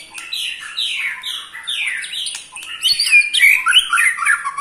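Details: An eight-month-old white-rumped shama gives its ketrekan trill, which agitates other shamas. A series of loud, descending slurred whistles gives way to rapid, chattering trills and sharp high notes, repeated densely with no other sounds.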